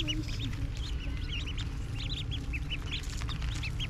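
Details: Ducklings pecking at tender grass while feeding, giving a steady stream of short, high, arched peeps, several per second, over a constant low rumbling background.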